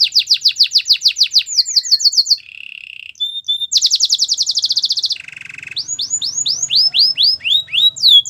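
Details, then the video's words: Belgian canary song for training young canaries. Rapid sharp trills alternate with a lower steady rattle and short whistles, and the song ends in a series of looping, swooping whistled notes. "Belgian canary singing"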